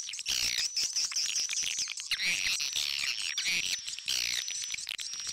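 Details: Edible-nest swiftlet lure recording for swiftlet houses, mixing old-style and roosting calls: dense, high chattering twitters and chirps repeating in bursts over a thin, steady whine.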